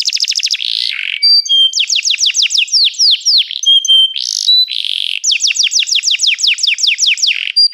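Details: Canary in full song, mixing rapid trills, buzzy bursts, held whistles and long runs of quick descending sweeps repeated several per second.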